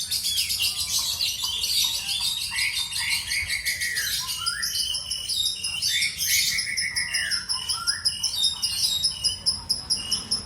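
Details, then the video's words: Kept lovebird singing in the ngekek style: a dense, continuous high chatter of buzzy trills with repeated downslurred whistled notes, a rapid stuttering run of short lower notes in the first seconds, steady and loud throughout. "LB MIAR NGEKEK 2 MENIT"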